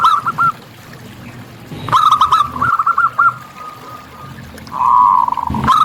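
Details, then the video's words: Zebra dove of a local type singing freely in nature, giving short runs of staccato coos that rise and fall, then a longer blurred trill near the end, with a few sharp clicks between phrases. "Perkutut Lokal Gacor"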